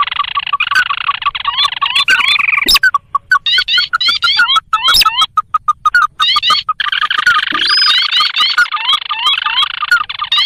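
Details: Lure recording of the sintar, a paddy and marsh bird, used to attract wild birds for trapping; dense scratchy chatter with rapid upslurred whistles, broken by bursts of short clipped notes.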